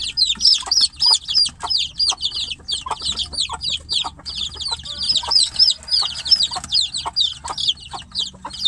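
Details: Caged chicks call for their mother hen, who stands outside the cage: a dense, constant stream of shrill, high, downslurred peeps from several chicks overlapping, roughly three per second, with soft low clicks beneath.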